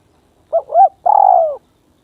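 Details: Single cooing phrase from a caged spotted dove decoy facing a bold, fierce rival: a brief hoot, a second rounded note, then an extended, slightly wavering coo that drops at its end. Clean, quiet surroundings.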